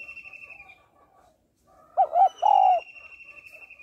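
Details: Female spotted dove calls to stir males. After soft murmuring at the start comes a strong double coo, the second part longer and steadier, overlapping a high, drawn-out whistled tone.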